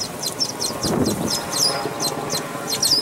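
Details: Red-winged blackbird chicks in a nest at Dufferin Islands giving thin, high chirps in quick bursts, about a dozen short notes over three seconds, over a soft low rumble.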